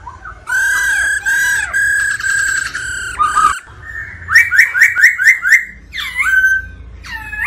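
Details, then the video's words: Black-throated laughingthrush singing to the female 'ro ro' call: long sustained whistles with arching notes, then a run of six rapid rising whistled notes, then two sharp looping whistled phrases. "Chim khướu Bạc Má hót múa tiếng mái ro ro kích tróng"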